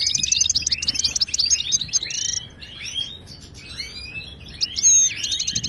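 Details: European goldfinch singing the Moroccan Widani style, recorded to teach caged birds: quick high trills and chattering notes, then softer descending slurs, and a closing loud whistle followed by a fast trill.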